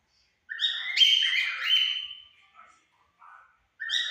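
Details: Cockatiel pair, white and yellow birds, singing at 5 pm; one long warbling phrase of stepped, whistled notes that rises then slides lower, fades after about two seconds, then a new phrase begins.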